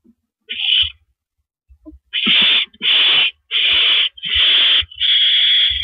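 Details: Owl sitting on a porch perch on the evening of April 9, 2012, at 8:17 PM: one short harsh hissing burst, a pause of over a second, then five long raspy screeches in close succession.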